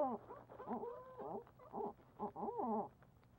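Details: A Barred Owl on a live nest cam in Leesville at night, 22:19 on 17 March 2020, around a food delivery, gives a run of short, wavering hooting notes in rising and falling bursts over a low steady hum.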